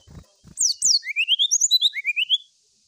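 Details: Brown-chested jungle flycatcher singing to seek a rival: a quick run of high, sharply descending whistled slurs, then a string of short, rising, buzzy notes stepping lower, about a dozen notes in two seconds.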